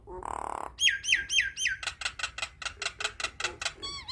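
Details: Nias hill myna song played to train young birds and stir stressed, quiet birds to sing: a harsh squawk, then a run of loud whistled notes sweeping down, followed by rapid buzzy repeated notes about four per second, ending in warbling whistles.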